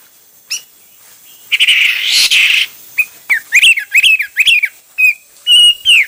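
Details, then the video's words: Hwamei song in many styles: a broad rushing burst gives way to quick, upslurred whistled notes and a few steady whistles, delivered in an uneven rhythm. "Coob quaj ntaus yam (Hoạ mi hót nhiều kiểu hay)"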